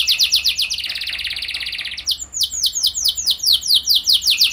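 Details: Canary singing as a lure for other canaries: quick swept notes, a dense buzzy trill for about a second, then repeated descending whistles at a lively pace.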